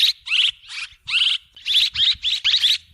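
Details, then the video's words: Swiftlet twittering played as a lure: around nine buzzy, chirp-filled bursts in three seconds, uneven spacing, each burst made of fast rising notes, with a faint low hum in the background. "ສຽງນົກແອ່ນ ຄໍເລດ(ສໍາລັບຕໍ່) Tiếng én, Tiếng Chim Én เสืยงนกแอ่น คอเลด สำลับต่อ"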